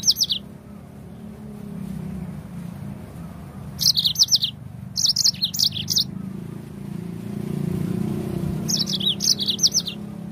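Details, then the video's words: A yellow-fronted canary (Mozambique canary) on a lure recording meant to set other birds singing gives four short bursts of high, rapid, sliding chirps and twitters, separated by pauses, over a steady low rumble. "Suara pancingan Burung Mozambik"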